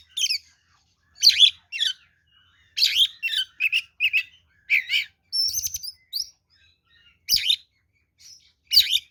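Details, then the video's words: Kacer, an oriental magpie-robin, singing its aggressive fighting song meant to provoke other birds: scratchy chattering bursts mixed with whistled slurs and a trilled rattle, delivered in separate phrases with pauses. "SUARA BURUNG kacer gacor NGEPLONG TARUNG ini paling AMPUH buat PANCINGAN kacer NYAUT EMOSI"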